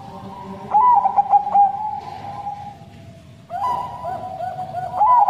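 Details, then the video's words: Caged Bangkok crossbred zebra dove singing a long, plaintive song. Two clear runs of rapid, warbling coo notes are separated by a quieter stretch of steady humming from other doves. "Perkutut Bangkok Suara Sedih Lumayan Panjang"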